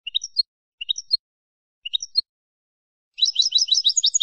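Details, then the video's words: European goldfinch of the field 'campero' type, used to train cage birds: three short tinkling two-part phrases separated by pauses, then a rapid, busy twittering trill at the end. "cd jilguero para educar"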